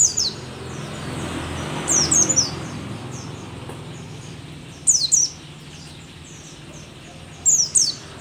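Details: Mountain white-eye from Merapi, called endemic and rare, an aging bird in lively voice: three brief bursts of shrill, descending twittering notes spaced by quiet gaps over a faint low hum.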